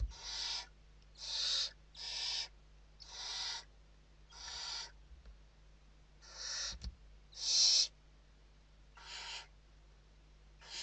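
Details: Western barn owls in a Spanish nest box during evening feeding, 29 November 2023: about ten short rasping hisses spaced roughly one second apart, varying in loudness, with a steady low hum.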